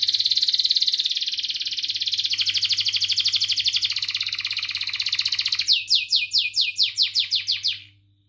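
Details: Canary song used to train young canaries learning to sing; a long fast rolling trill that shifts texture midway, ending in a series of loud, separate downslurred chirps about four per second before stopping.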